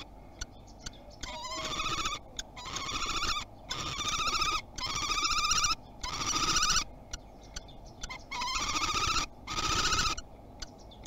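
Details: Common kestrel at a nest box in Théding, France, first visit of 2021, 30 March: long, shrill, whining trilled calls about a second each, given in a steady series with brief pauses between.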